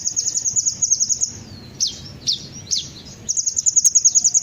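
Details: Olive-backed sunbird lure recording: a fast, buzzy high trill opens the passage, three swept chips follow after a pause, then the rapid trill returns and runs to the end.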